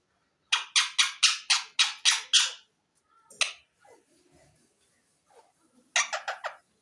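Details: Green ring-necked parakeet known as a talking parrot giving a rapid run of eight harsh, raspy squawks about four per second, then soft scattered chatter and three more harsh squawks.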